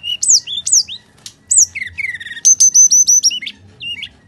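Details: Bali myna in full fighting-mode song, recorded as a lure for reluctant birds: looping high whistles, a dipping slur, then a quick string of bright, even whistled notes and a final rising whistle.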